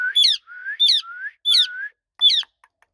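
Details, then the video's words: Ringneck parrot talking, with bright rising squeaks each followed by a soft climbing whistle, repeated three times and then a final squeak. "PARROT TALKING | RINGNECK PARROT"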